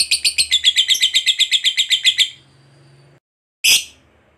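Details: Lovebird chattering ngekek panjang, a call to companions: a fast series of about fifteen sharp, squeaky notes, then a pause with a faint low hum, then one loud harsh squawk.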